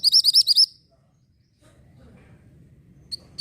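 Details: Orange mantenan, a pied bushchat, singing as a tutor recording for white-rumped shama: a quick burst of about six high, rapid, looping chirps, then quiet with low background rumble and two faint single high notes.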